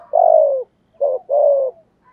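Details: Spotted dove cooing, a recording used to stimulate decoy birds to coo: one long, low, slightly falling hollow note, a pause, then a short coo run straight into a second drawn-out falling note.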